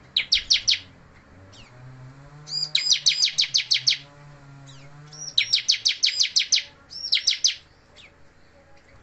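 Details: Bar-winged prinia, bald or moulting yet still singing persistently, delivers bursts of five to eight rapid, sharp, high chirping notes, separated by short pauses, over a low steady hum.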